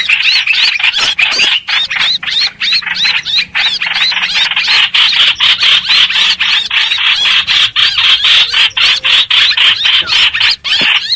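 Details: Streak-eared bulbul, a lure sound for bird trapping: fast, continuous run of harsh notes with squeaky, slurred whistles overlaid, about four notes per second throughout.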